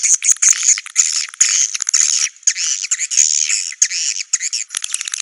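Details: High, shrill twittering from swiftlets for a swiftlet house, almost continuous with quick chattering pulses and only short breaks, all thin and treble with no deep sounds.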